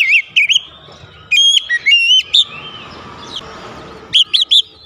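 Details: Kacer, or Oriental magpie-robin, giving varied fill-in song meant to stimulate singing: short clusters of sharp whistled notes and wavering slurs, broken by gaps, over a low background hiss.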